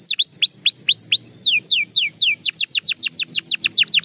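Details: Belgian canary song: slurred, rising whistled phrases repeated about three times, then a steady run of sharp descending sweeps delivered several per second, bright and high-pitched throughout.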